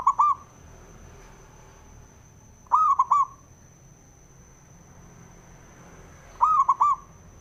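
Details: Repeated song of a male zebra dove, played to rouse rivals: short bubbling coo phrases about three and a half seconds apart, each a quick run of clear notes, with a faint high whine throughout.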